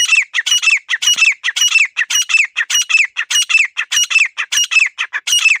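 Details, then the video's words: Grey francolin, called desi teetar, gives a continuous run of loud, raspy, ringing phrases, about two per second, each a cluster of harsh notes with a falling tail, in a quiet setting. "Teetar Ki Zabardast Awaaz 🔊 | Clear Desi Teetar Voice"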